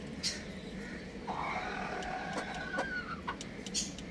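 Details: A young rooster at home among chicks gives a drawn-out, wavering crow, scratchy and uneven and ending in a rising note, with brief high chirps around it.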